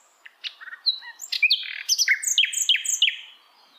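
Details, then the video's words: Song of a hill blue flycatcher in the wild, building from scattered single chips into a fast sequence of bright, sharply dropping whistled notes before fading. "KICAUAN SIKATAN LONDO DI ALAM LIAR"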